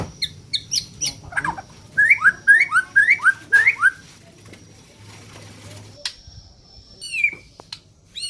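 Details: White-rumped shama from Borneo, a neglected bird with an odd voice: series of short upslurred whistles repeated about twice a second, with faint high notes and a distant sharp call.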